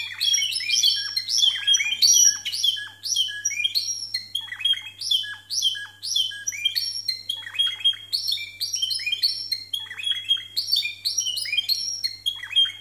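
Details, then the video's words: Canaries of the Timbrado breed, discontinuous song rated 92 and 93 points: long run of choppy, bubbling metallic phrases in regular pulses, each falling slightly, with a faint low hum beneath. "TIMBRADO DISCONTINUO CON 92 Y 93 PUNTOS"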